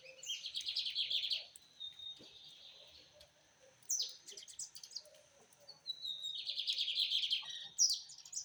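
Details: Rusty-collared seedeater song: rich bursts of rapid, buzzy warbled notes in fast trills lasting about a second, separated by pauses with short sharp chips and thin whistles, repeated several times.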